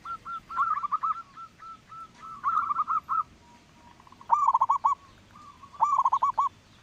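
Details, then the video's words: Local zebra dove with a big voice, used as a lure to get other doves singing: bursts of quavering, staccato cooing notes, with softer flat coos between phrases and a second bird answering later. "perkutut lokal suara besar"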